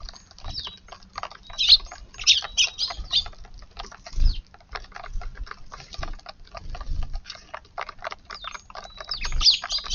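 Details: Sparrows visiting a garden for breakfast on 19 March in light rain, feeding eagerly; short sharp chirps and squawks scattered through, some overlapping, with soft pattering and low thumps underneath.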